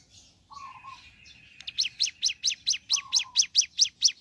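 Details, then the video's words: Ciblek gunung in the morning: soft mixed twittering and low whistles give way to a rapid, accelerating run of sharp, high chirps growing louder. "Suara Asli Ciblek Gunung Gacor Pagi Hari"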